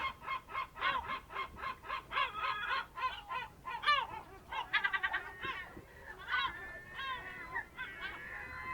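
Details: Birds calling in the early morning at 07:40 on 27 March 2026 in a fishing harbour on the Ionian Sea, Greece, from the Ambracian Gulf (Amvrakikos National Park) area: loud, harsh, honking notes repeated rapidly in runs, with a few rising-falling yelps between.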